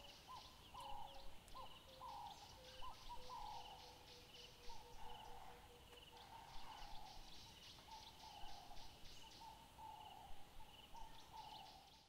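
Southern Carmine Bee-eater giving short, throaty, rolling notes repeated about every two seconds, over a steady low background rumble.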